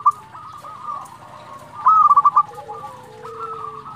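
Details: Single loud phrase of quick staccato coos from a local zebra dove singing to provoke rivals, set against softer, continuous cooing from other doves and a low hum.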